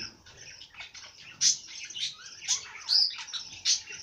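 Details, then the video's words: Bird song of high twitters broken by several sharp, loud piercing whistled notes at irregular intervals. "Bird sing song madár ének"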